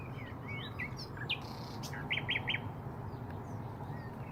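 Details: Nightingales singing around Braziers Meadow in Orwell Country Park: scattered chirps and short slurred whistles, then a burst of three quick repeated notes, over a steady low rumble of background noise.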